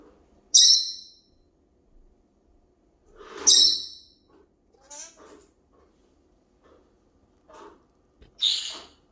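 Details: Senegal parrot talking to its owner in Korean, saying hello and a clumsy I love you; short harsh bursts and squawks separated by quiet gaps, with softer speech-like murmurs between them.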